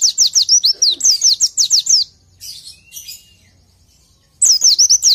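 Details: Training song for oriental white-eyes: a two-second run of fast, high, falling slurred notes, then soft scattered chirps and quiet, then another short burst of the same rapid phrase.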